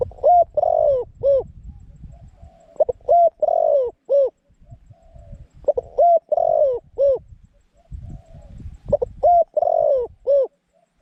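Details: Zebra dove decoy calling in wild doves at a trap, delivering repeated cooing phrases of clipped arched notes and a drawn middle note, four phrases in eleven seconds, with low thumping noise underneath.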